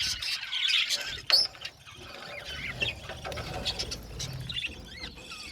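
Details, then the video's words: Budgerigars in an aviary give scattered chirps and short rising squeaky calls over quieter background chatter, one sharp loud squawk early on, then sparser calls spaced irregularly. "Budgie amazing chirping sound | Budgies calling sound"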